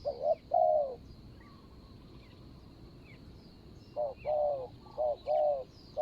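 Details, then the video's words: Decoy spotted dove on the ground, 24/01/65 Thai calendar, calling toward a wild target bird with a good voice; brief hollow coos at the start, a pause, then a run of four steady coos, faint bird chirps in the background. "ต่อนกเขาใหญ่.. ต่อดิน.. เจ้าแบทแมนตามจับตัวหมายคารมดี.. ครับ"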